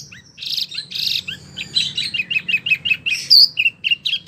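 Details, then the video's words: Wambi, recorded as a master song for oriental magpie-robins and other songbirds: hissy buzzes open into a quick sequence of short chirps, one high piercing whistle, then several falling slurs. "SUARA BURUNG WAMBI PILIHAN SANGAT BAGUS BUAT MASTERAN BURUNG KACER,DAN LAINYA"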